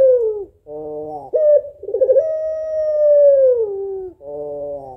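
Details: Female African collared dove (puter pelung) calling to the male: short falling coo, nasal buzzy note, then a trembling, pulsed lead-in swelling into a long level coo that slopes down, followed by another nasal note.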